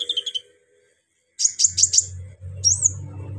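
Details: Brown-throated sunbird in lively, rough song aimed at stirring up other sunbirds. A short series of mid-high chirps is followed by four sharp, very high notes in a row and a thin rising-then-falling whistle, with a low hum underneath.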